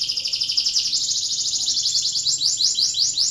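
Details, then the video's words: A canary in breeding condition delivers a lure song that stirs other canaries to sing: a continuous, high, rapid trill, steady and pulsing throughout, shifting in texture partway through. "PANCINGAN KENARI BIRAHI , AMPUH MERANGSANG KENARI IKUT BUNYI"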